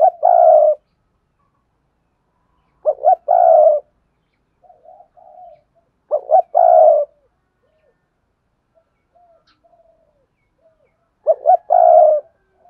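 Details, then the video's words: Cooing spotted dove kept as a decoy for luring wild doves: phrases of two quick clipped notes and a longer coo, repeated about every three to four seconds, with soft quiet coos between. "tiếng cu mồi thúc bổi và gáy gọi hay// Tiếng cu gáy mồi chuẩn kích bổi nhanh nổi"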